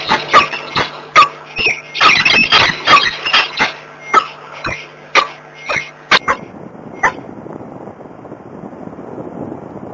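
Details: Peregrine falcons, a pair, at Włocławek, Poland, on the morning of 26 February 2023: sharp, raspy calls repeated roughly every half second for about six seconds, then one more call before the calling stops and a low rushing noise remains.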